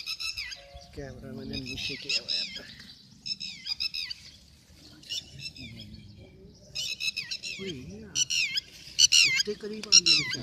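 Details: Red-wattled Lapwing heard in May 2022 with sharp, scratchy high notes in irregular bursts, growing louder and faster near the end, while lower voices and tonal sounds run underneath.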